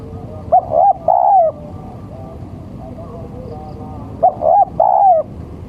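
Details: Spotted dove male giving its lure call: a coo phrase of two short notes and one long falling note, a three-second gap, then the phrase again, over a low murmuring background.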